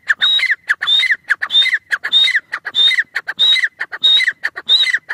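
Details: Francolin repeating a phrase roughly twice a second: a clear high whistle followed by harsh chattering notes, with loud clicking bursts between phrases.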